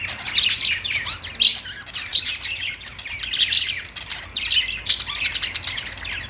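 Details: Pet budgerigars chirp happily, a dense high warble of rapid twittering bursts and short squawks, one rising chatter after another over a quiet background.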